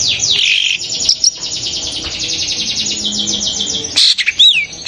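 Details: Long-tailed shrike (cendet) calling, a call said to excite other shrikes and set them singing; a dense, rapid, high buzzy trill runs unbroken for about four seconds, then stops before a few sharp harsh notes.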